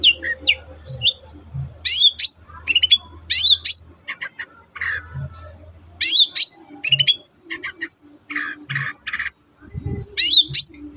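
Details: Captive long-tailed shrike song used to encourage quiet birds to sing: varied rising whistles and buzzy phrases, repeated irregularly, with low humming and knocking in the background.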